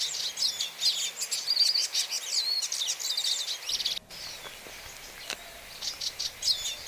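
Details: Energetic, high twittering warble from a hooded siskin, packed with rapid chirps and brief whistled trills, breaking off abruptly midway and resuming as fainter scattered notes.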